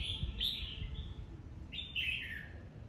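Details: Red-whiskered bulbul, a mature wild-caught bird, in competitive 'bọng'-style singing: two short whistled phrases around a second apart, bright and slightly slurred, with a steady low rumble behind.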